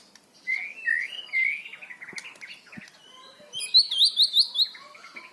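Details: Varied white-rumped shama song used to train young birds so they do not sing monotonously: slurred whistles rising and falling, then a fast series of five high, bright, repeated notes near the end.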